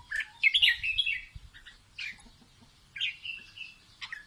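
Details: Singing red-whiskered bulbul, teaching its young by song: a lively warbled phrase, then a brief note and a clear rising-falling whistled phrase about once a second.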